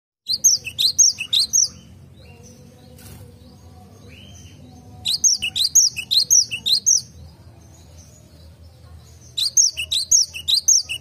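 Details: Cinereous tit singing in a garden: three bursts of five to seven bright, high, repeated two-part notes, each burst a couple of seconds long with pauses between, over a faint low hum.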